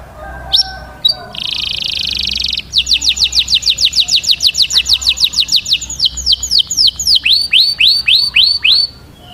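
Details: Agitated male canary singing for mating: scattered high chips, a dense buzzing trill, then a long fast series of descending notes that shift into rising looped whistles.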